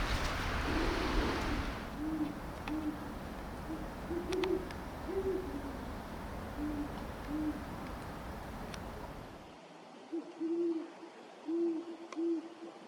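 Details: A Great Horned Owl pair that has raised an owlet calls together: the male, with the deeper voice, and the larger female trade deep, soft hoots at two slightly different pitches. A steady rumbling noise covers the first part, then falls away.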